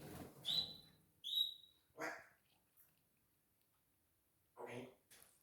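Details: A pet female African grey parrot, from a breeder, calls the dog indoors: two clear, slightly rising whistles about a second apart, then two short raspy voice-like bursts in a quiet room.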